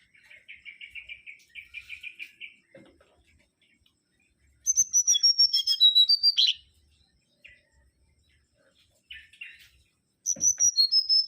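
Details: Mangrove whistler (Pachycephala grisola) song: a fast, buzzy trill of repeated notes, a pause, then a bright series of clear whistles that steps downward in pitch. Soft chips follow, and another descending whistled run ends the sequence.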